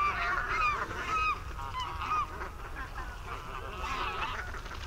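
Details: Over 200 barnacle geese on the Warthe floodplain near Słońsk, Poland, 11 March 2015, giving a busy chorus of short, yapping, dog-like calls, overlapping about two per second over low background rumble.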